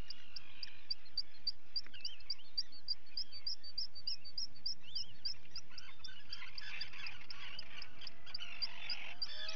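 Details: Guillemot chicks being fed on 28 June 2020: a fast run of high, clipped peeps, followed by swelling rough adult calls and a loud colony din.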